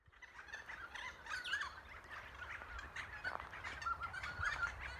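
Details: A noisy friarbird being released after wildlife rehabilitation gives harsh, raucous cackling calls in quick, uneven bursts of grating, nasal notes, over a steady rustle of background noise.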